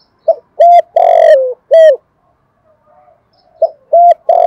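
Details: Cooing of a decoy dove in two bursts: a short note, then three full, steady coos including one long falling note; a pause, then the series starts again, clean and close.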